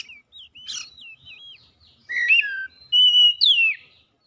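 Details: Oriental magpie-robin song, used to spur an off-form bird that has stopped singing: clear, varied whistled phrases, some rising and some falling and wavering, with a few harsh buzzy notes, getting louder in the last two seconds.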